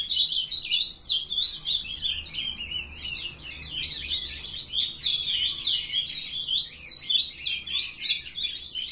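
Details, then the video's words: Brood of young ultramarine grosbeaks kept in captivity, warbling together without pause: rapid, overlapping high chirped phrases, several voices at once. "filhotada de azulão mandando ver"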